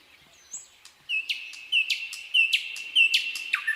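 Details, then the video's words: Spring pine forest nightingale, 2024, repeating sharp downslurred chirps about every third of a second after a brief high whistle, ending on a lower note. "пение соловья в тихом весеннем лесу"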